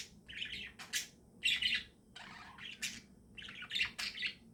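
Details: Budgerigars chirping in the morning: bursts of scratchy, chattering warbles and squeaky chirps in short clusters, over a steady low background hum.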